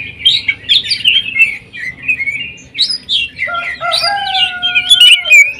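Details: Greater green leafbird delivering jamtrok tembakan song, sewing-machine style: tumbling burry whistles and chatters, then long steady lower whistles overlaid with sharp high notes near the end.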